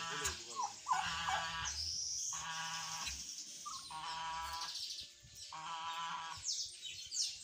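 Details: Mature female goose, kept as ornamental poultry, honking in repeated harsh bursts roughly every second, each a buzzy, ringing call, with a steady high-pitched hiss throughout.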